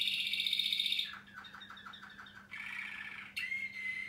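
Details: Waterslager Malinois canary, an adult male over a year old, in song: a bright high rolling trill, then a run of soft descending liquid notes, a bubbling water-like roll, ending on a clear sustained whistle; low hum present.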